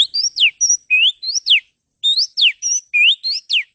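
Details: Male Oriental magpie-robin in a masteran training recording meant to test male birds' toughness. Bright, high whistles sweep up and down in a quick phrase that repeats after a pause. The recording is otherwise silent.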